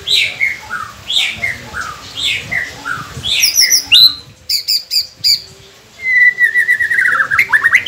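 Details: White-rumped shama song meant to coax captive birds into singing, with descending slurred whistles, then rapid high clicking notes and a long bright whistled trill at the end; low background rumble throughout.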